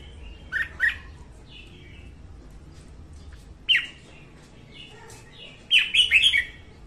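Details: Female red-whiskered bulbul singing in the morning, a recording used to train bulbuls to sing and to lure them to traps; three bursts of bright, rapid warbled notes, the last a cluster of four quick phrases, with quiet pauses between.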